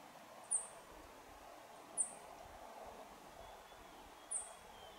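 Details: A rock bunting (Emberiza cia) calling at Chopta, Uttarakhand, in April 2018 gives three very high, thin 'tsi' notes at irregular intervals of one to two seconds, over a steady soft background hiss.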